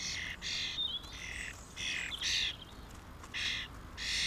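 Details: A small flock of common starlings at mealworms in 2016 gives rhythmic rasping squawks about twice a second, with a short wavering whistle weaving between the harsh notes early on.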